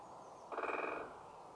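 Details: Great spotted woodpecker drumming on a tree in UEA woods: one rapid, even roll of woodpecker strikes lasting about half a second, sharp knocks fused into a short rattling burst against a quiet background.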